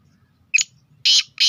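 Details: Black francolin, known as Sindhi kala teetar, from Sindh and Punjab: a brief high note, then two long, rasping, buzzy bursts. No other sound stands out.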